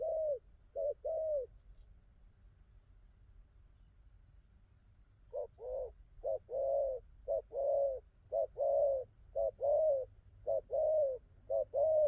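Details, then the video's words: Wild-caught spotted dove, newly in full song, cooing well; a few paired coos, a pause of about four seconds, then a resumed run of short-long coo pairs repeating roughly every second, with low background hum. "Thổ tơ bài hay gù tốt"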